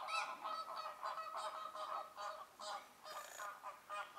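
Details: American flamingos (Phoenicopterus ruber) at Lagunska ribogojnica nature reserve on 4 January 2024, several birds overlapping in a busy chorus of nasal, goose-like honks about three a second.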